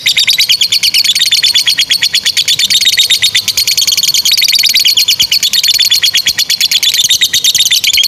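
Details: Lovebird giving a long ngekek chattering song, used as a training model for young lovebirds and ones that have stopped singing; a fast, steady stream of high, dry clicking notes, about three per second, continuous throughout.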